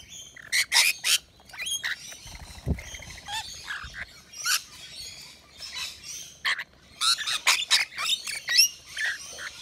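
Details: Rainbow lorikeets feeding on a balcony nectar mix chatter in short, shrill screechy bursts separated by brief quieter gaps, with some softer twittering between them.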